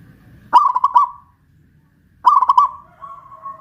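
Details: Caged local Pajajaran zebra dove in Kuningan, West Java, singing loudly after being hoisted on a pole: two rolling bursts of quick cooing notes under two seconds apart, then a faint sustained tone.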